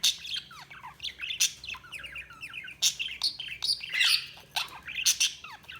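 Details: Budgerigars chirping in lively chatter, with rapid falling whistled sweeps, scratchy squawks and sharp clicks running on without a break.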